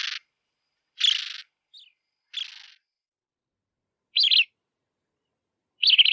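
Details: Bridled tern uttering a series of short, hoarse, raspy calls at irregular intervals, some broad and grating, others shorter and more nasal, with a brief faint squeak between them.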